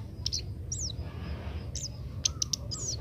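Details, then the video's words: Young Oriental magpie-robin learning to sing during training, giving a few scattered high whistles, some sliding downward, with a couple of sharp clicks near the end, against a steady low hum. "burung kemade muda belajar bunyi"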